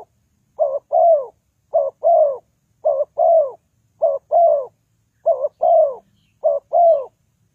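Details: Spotted dove cooing, used as a decoy lure in trapping; soft low phrases of a quick wavering note then a longer descending coo, repeated at a relaxed, even pace.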